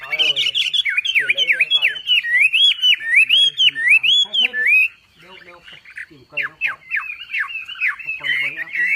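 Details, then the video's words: Javan pied starling (wambi) singing full tembakan masteran: dense, loud, looping whistled phrases with scratchy undertones, a short quiet pause, then sharp downward-slurred whistles repeated in quick succession. "MASTERAN BURUNG WAMBI FULL TEMBAKAN GACOR DOR"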